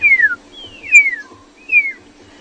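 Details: At a small waterhole on a South African private game reserve on the afternoon of 17 July 2020, a Pearl-spotted owlet gives three clear, high, downward-sliding whistles about a second apart over a faint steady hum and soft low thumps.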